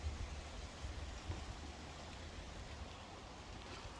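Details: Broadband rain-like hiss over a deep low rumble continues throughout, with no animal call heard.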